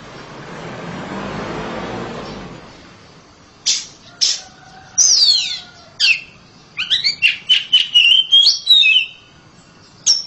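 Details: Home-kept oriental magpie-robin with a loud song. A soft rushing noise comes first. Then sharp separate chips and a falling whistle, followed by a fast string of bright, warbled whistles.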